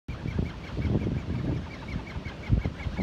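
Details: Gannets at Hawke's Bay, New Zealand: a dense chorus of harsh, low, grating calls overlapping from many birds, with a thin higher chirp repeating steadily about three times a second throughout.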